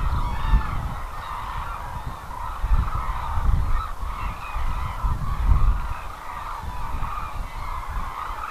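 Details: Large gathering of cranes at the Izumi wintering grounds in Kagoshima, Japan: steady clamor of trumpeting, honk-like calls from many birds, some upward-inflected notes standing out, and intermittent wind buffeting.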